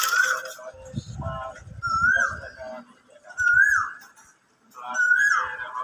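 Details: An Asian koel calling near a kitchen during Ramadan, the cook noting it has been singing beautifully for a while: three loud, clear, rising whistled calls about one every one and a half seconds, over brief kitchen clatter and a voice at the start.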